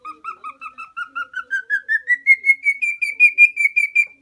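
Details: Pet male lutino cockatiel, aged four, Minoo, Osaka, whistling a steady sequence of about twenty short notes, starting as low paired tones and gliding gradually higher into a sustained, evenly pulsed high whistle.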